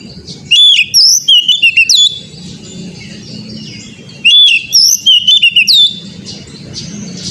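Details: Oriental magpie-robin song meant to coax an untrained young bird into singing often and loudly: two bursts of sharp, clear whistles and rapid chirped notes, separated by about two seconds of low background hum.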